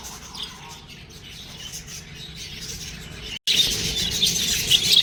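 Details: Budgerigar chicks chirping; faint, thin high chatter for the first three seconds, then after a brief break a louder, dense stream of rapid high chirps and twitters from several birds.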